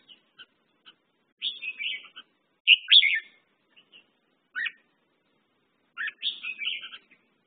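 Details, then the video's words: Red-whiskered bulbul delivering scattered soft ticks followed by three bursts of lively warbled phrasing, each about a second long, separated by pauses of one to two seconds. "red whiskered bulbul/ merbah jambul"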